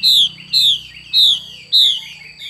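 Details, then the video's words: Female Chinese hwamei giving its xùy call: four loud, clear whistled notes, each sliding downward, repeated about every half second, with a steady high electronic tone behind. "Họa mi mái xùy cực đỉnh"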